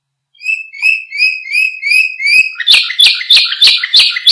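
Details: Canary song for training and luring other birds: a series of soft, slightly rising whistles about three per second, switching to louder rapid buzzy chirps at the same quick, regular pace.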